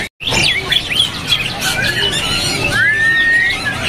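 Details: Oriental magpie-robin (kacer) singing strongly at a kiosk in Pramuka bird market: varied clear whistles and quick rising and falling phrases over busy market chatter and other caged birds.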